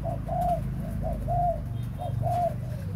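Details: Spotted dove from a breeding flock repeating a clear three-note coo, a brief note, a long mellow hoot and a fading tail, about once a second over low hum.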